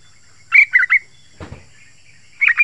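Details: Yellow-vented bulbul giving three quick sharp notes, then a dull thump, then a fresh burst of notes. The song is meant to call in wild birds and to get kept bulbuls singing in reply.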